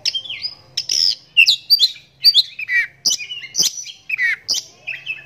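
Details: Captive oriental magpie-robin, blind in the right eye from a cataract since young, delivering a bold song of sharp, varied notes and slurred downward whistles in bursts separated by brief silences.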